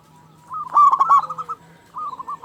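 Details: A local zebra dove with a big voice calls once: a tight run of three loud ringing coos, followed by softer rolling coos from another dove.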